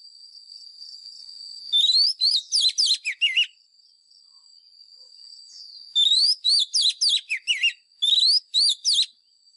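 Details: Training song of a White-rumped shama for schooling caged birds, fighting type: quick strings of looping, rising and falling whistles in separate bursts, a steady high hum running throughout.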